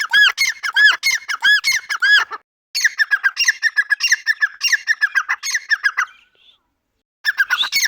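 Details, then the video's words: Grey francolin uttering strident repeated notes in rapid runs, pausing briefly twice, then resuming its ringing, squeaky series. "Dakhni Teetar ke awaaz | teetar voice | teetar sound | Teetar boli"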